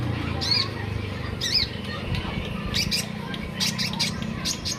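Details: Olive-backed sunbird giving two bright, arched chirps a second apart, followed by a run of dry clicking ticks over a low hum.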